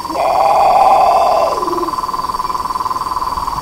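A Great Potoo gives one harsh, growling roar about a second and a half long that drops in pitch at the end, over a steady background hum.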